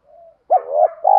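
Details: Spotted dove coo used to stimulate birds in training: a faint thin hum, then a short rising note sliding into a steady mellow coo and another bright coo at the end.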